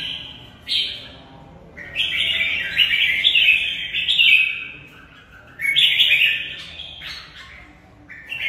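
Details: Fighting song of a caged red-whiskered bulbul, a single sharp note followed by long sweet warbling runs, pausing, then another bright burst of rolling phrases.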